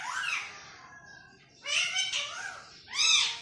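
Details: Green parrot kept as a pet, talking like humans: a falling squawk, a soft pause, then several arched nasal word-like syllables and a strong final call.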